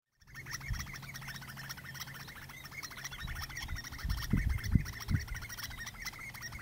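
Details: A male common redshank displays and calls to a female before mating, on Texel, the Netherlands, on 25 May 2017: a fast, steady run of short piping notes, many per second, over low wind rumble and a few dull thumps.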